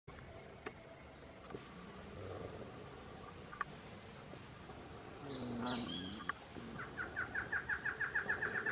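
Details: A male Barred antshrike (Thamnophilus doliatus) sings in dry forest at Mana Dulce Reserve, Colombia, on 23 January 2017: a high thin whistle, then a quick run of about a dozen nasal mid-pitched hooting notes, with scattered background sounds.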